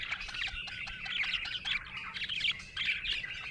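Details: Happy budgie chirping in a dense, slightly harsh warble, high twittering notes mixed with little squawky chirps, steady throughout.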